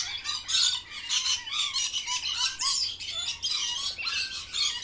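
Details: Parrot during lunch time, a green bird, uttering continuous rasping squawks and grating screeches one after another, with faint background hiss.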